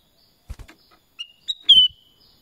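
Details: Black-crested bulbul, locally called kutilang emas, singing a short whistled phrase: a brief rising note, a higher clear note, then a longer ringing whistle that slides slightly downward, preceded by a few dull knocking thumps.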